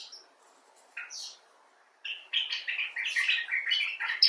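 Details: Common bulbul (Pycnonotus barbatus) talking: two isolated chips early on, then from two seconds a fast chattering series of bubbling, slightly buzzy notes that grows louder toward the end.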